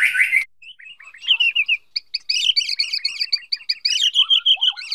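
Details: White-rumped shama, a female spurring the male to sing practice phrases: a short harsh burst, then a rapid chattering sequence of paired high notes, closing with a few lower slurred whistles.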